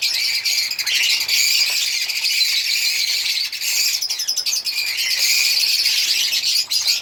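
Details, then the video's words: African lovebirds singing and chirping: a dense, continuous high chatter of overlapping shrill chirps and twitters that runs almost without pause. "African Lovebirds singing and chirping sound"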